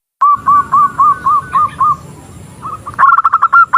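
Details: Female zebra dove calling to a male: a series of short rolling, warbled coos near one pitch, repeated roughly every quarter second, then a faster staccato run of clipped notes.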